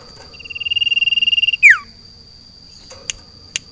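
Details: Caged sirtu put outside in a garden delivers one rapid, evenly pulsed high trill lasting over a second, capped by a loud falling slur, followed by a few faint clicks over a constant high hum.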